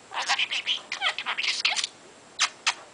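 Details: Pet parrot, 22 months old, with a vocabulary of 136 words and 148 phrases, chattering while playing in its play area: bursts of harsh, speech-like syllables, then a pause and two short sharp notes.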